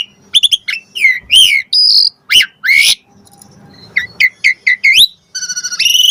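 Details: Asian pied starling song with varied fill-in phrases used as a lure for replies: rising and falling whistled slurs, short harsh notes, a quiet gap, then quick chirps and a pulsing buzzy rising whistle.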